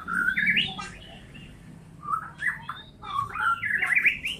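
A white-rumped shama sings rich, varied whistled phrases with rising and falling slurs and fast warbled runs, over a faint low hum.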